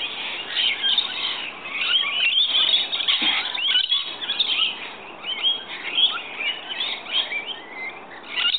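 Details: Several rainbow lorikeets gathered at a morning feeding spot give a dense, unbroken mix of high, piercing screeches and chattering squeaks from multiple birds at once.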